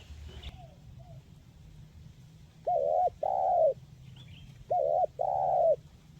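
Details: Tekukur, the spotted dove, in clear 'mersik' kuk 1 voice for encouraging silent birds to sing; two loud two-part coos, a short note then a longer one, about two seconds apart, with distant faint chirps and low hum.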